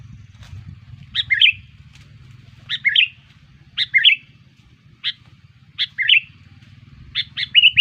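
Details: Sooty-headed bulbul lure call used to attract bulbuls. Bright, chirpy two-part notes, a sharp high note dropping into a warbled lower one, repeated every second or so over a steady low hum.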